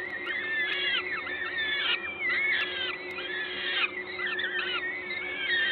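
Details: Peregrine falcon nest in Gdańsk, Poland, on 14 May 2022 at 11:07, a parent feeding. Bursts of squealing, downward-curving notes tumble over one another about every second, over a steady low hum.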